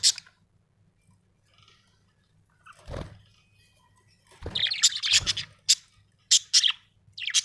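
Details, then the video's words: Budgerigar in a happy mood, chirping: scattered soft scratchy notes, then a run of sharp high chirps and chattering bursts toward the end, with a faint low hum behind. "happy budgie chirping sound"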